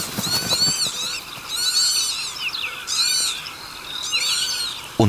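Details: Northern Lapwings in the Biebrza–Narew marshes of north-eastern Poland, in early morning, excitedly driving a fox from their territory: wheezy, slurred calls in four bursts about a second apart, several birds overlapping, over a faint low murmur.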